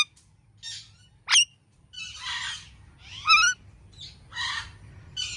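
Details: Indian ringneck parakeet producing a run of raspy squawks interspersed with a sharp shriek and a wavering ringing screech, calls coming roughly every second in an irregular sequence.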